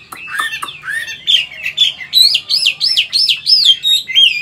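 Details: Old wild-caught caged Chinese hwamei, a large bird in Vietnam, singing in the forest-voice style: varied clear whistles that settle into a fast run of looping rising-and-falling notes, about three per second.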